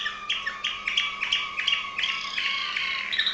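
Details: Waterslager Malinois canary in Veliko Gradiste, Serbia, producing quick, regular liquid chirps about three per second over a sustained rolling trill, full and bubbling.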